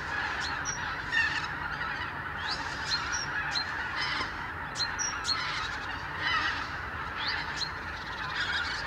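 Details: Wintering arctic wild geese by the thousand stream from roost to pasture at dawn in the Lower Rhine region. A steady roar of overlapping honks runs throughout, with frequent short, rising high calls standing out.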